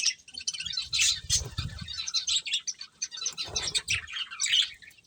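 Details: Several budgerigars chirping while they eat: lively high twitters and short warbles, accompanied by low fluttering and thumping sounds from movement.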